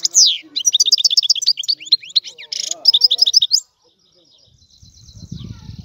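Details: Sicilian goldfinch in a rare old-style song: a downslurred note, then a fast chattering sequence of twitters and buzzy trills, ending before soft low noise.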